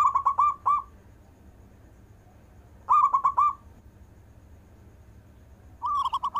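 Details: Local zebra dove of fine quality singing: short clusters of four or five fast bubbling coos repeated roughly every three seconds, low background hum.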